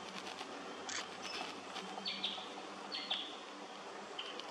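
Spotted quail-thrush giving thin, very high, drawn-out notes about once a second, with a sharper high chip early on over a soft background hiss.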